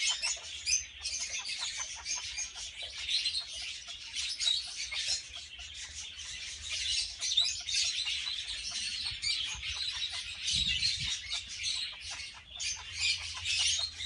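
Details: Two captive red-fronted parakeets during mating, keeping up a long, busy stream of rapid, scratchy high chirps and clicks, with a brief low thump near the end.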